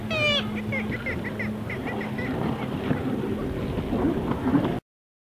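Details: Black-legged Kittiwakes at a nesting colony on Mumbles Pier, Swansea, South Wales, UK: a loud, nasal, rising wail, then a quick run of short clipped notes over steady colony chatter and a low hum.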